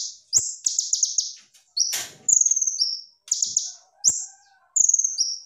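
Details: Kolibri ninja sunbird in full 'gacor' song with 'tembakan' bursts, used as tutor song: high thin whistled notes sliding downward, alternating with dense buzzy trills in quick succession, short pauses between phrases, a faint low murmur midway.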